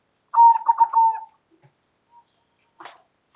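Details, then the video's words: Local zebra dove in loud, vigorous calling that draws replies from other doves: a single under-one-second burst of throbbing, stuttered cooing notes ending in a drawn-out falling coo, followed by quiet taps. "Perkutut Lokal Gacor Suara Lantang Keren Banget Bikin Nyaut"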